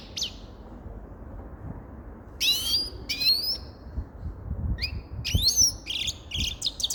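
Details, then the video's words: Grey-crowned goldfinch: a single short note, a silence, then increasingly busy bursts of high twittering. Faint low thumps sit underneath. "Sava Sayrashi Седоголовый Щегол Голоса Птиц"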